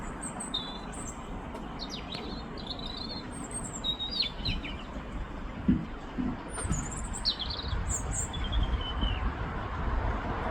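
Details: A European Robin (Erithacus rubecula) in London sings thin, high, wavering phrases in short separate bursts, some sliding and trilled, over a steady low rumble of distant traffic.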